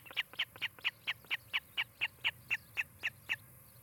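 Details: Nesting osprey in Charlo, Montana, on a July 2018 afternoon, picked up by a nest camera; a regular string of about fourteen shrill, whistled chirps spaced roughly a quarter second apart, even in loudness.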